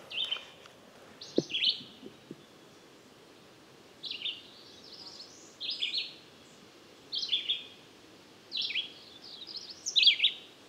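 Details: Red-eyed vireo (Vireo olivaceus) recorded with a parabolic microphone on a somewhat windy day, singing short, slurred, robin-like phrases in pairs with brief pauses, each rising or falling; a few low handling thumps early on, and possibly a cerulean bird in the background.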